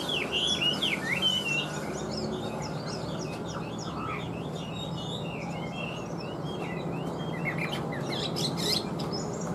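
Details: Long, rich song from a caged, large-bodied Chinese hwamei: rapid chains of looping, up-and-down whistled notes, about three per second, with a brief lower note midway and a constant low drone behind.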